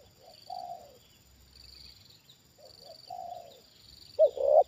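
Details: Trained Spotted dove reacting to a wild bird brought down for the second time: soft, mellow coos at intervals, then a loud stuttering coo at the end, over a steady high insect-like whine.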